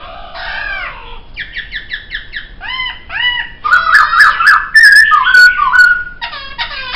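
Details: Poksay song recorded as a training master: varied whistled phrases, arched notes repeated in quick series, then a loud jumbled burst of squeaky notes and sharp high clicks.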